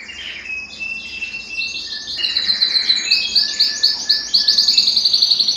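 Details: Belgian canary in song meant to excite males and bring hens into breeding condition; starts with soft separate whistles, then builds into loud, rapid, rhythmic high trills repeated about four times per second.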